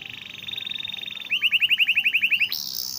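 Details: Canary singing as a training master: a fast soft trill followed by a series of repeated swept notes about nine times a second, then a sudden high rising tone.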